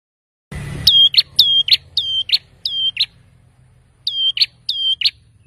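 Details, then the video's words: Ashy tailorbird getting agitated after hearing a lure sound: paired notes, a high steady whistle dropping into a short buzzy burst, repeated six times with brief pauses, over a faint low hum. "Burung Prenjak Kepala Merah Langsung Ribut‼️ Setelah Dengar Suara Ini Auto Nyaut"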